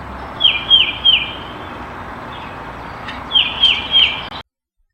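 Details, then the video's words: Tufted Titmouse whistling its two-note peter-peter-peter song, three quick clear phrases, a pause, then three more, over faint background hiss. "The titmouse's song is a two-note Peter, Peter, Peter."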